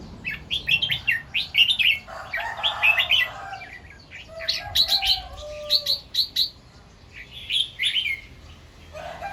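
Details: Red-whiskered bulbul singing in the morning, in the style described as doubled two to three times and 'rik' singing. Loud, bright whistled phrases in quick bursts, with pauses between groups and lower drawn-out tonal notes in the background.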